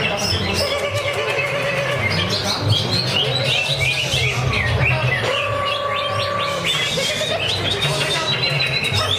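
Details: At a bird singing contest in Kranji, Bekasi, a greater green leafbird pours out fast, sharp chirping phrases and twittered trills over a steady low hum, with a sustained tonal note entering partway through.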